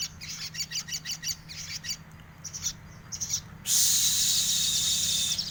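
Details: A bird called sogok ontong, said to be in lively song with varied filler notes, gives a run of thin high chirps about three per second over steady hiss, then a loud broadband rush drowns everything.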